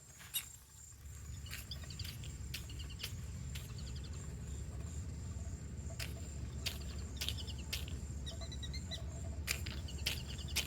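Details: A whistling duck sneezes in sharp, abrupt bursts, a few times over several seconds, with faint high chirps and a steady low rumble underneath.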